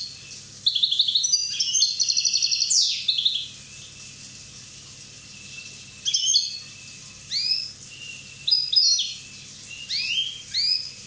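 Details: Young Corsican European goldfinch, one year old: a rapid trilled twitter, then scattered upslurred chirps and short tinkling notes spaced a second or two apart, over a low background hum.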